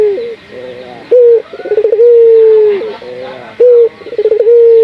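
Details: Local spotted dove, used to stimulate other doves to call: loud short coos followed by quick stuttering coo notes that run into a long, level, drawn-out coo, repeated twice, with a faint hum behind.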